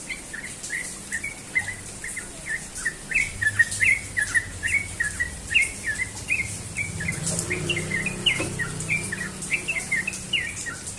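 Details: Sooty-headed bulbul morning song, a long fast series of short bubbly whistled notes repeated steadily through the clip, with a low rumbling background noise in the second half.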